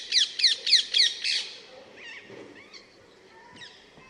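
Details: Rose-ringed parakeet delivering five loud, rapid, grating screeches, roughly four per second, followed by fainter distant squawks.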